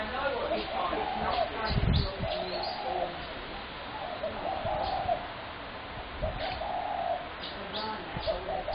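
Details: Spotted dove on 21 January 2017 making a noisy racket of repeated, husky cooing phrases, several short burry notes at a time, with some low thumping noises and scattered high chirps.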